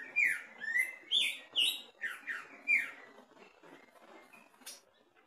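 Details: Caged greater green leafbird (cucak ijo) sings energetically during a mental test at the bottom of its cage: about seven loud, whistled notes sliding mostly downward in three seconds, followed by softer scattered chirps and a brief high note.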